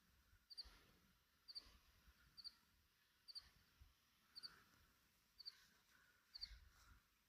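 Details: Cierema recorded in Minas de Corrales, giving sharp high paired chip notes, seven doublets spaced roughly one second apart, with faint low rumble beneath.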